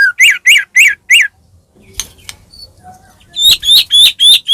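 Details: White-rumped shama in captivity singing to provoke a rival bird: five rising whistled notes, a quiet gap with faint clicks, then a string of loud upslurred whistles.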